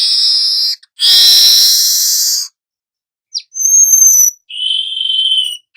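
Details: Long, harsh buzzing notes from a young weaver in full rolling song, kept for teaching other birds, broken by brief pauses and a thin whistle before another raspy stretch.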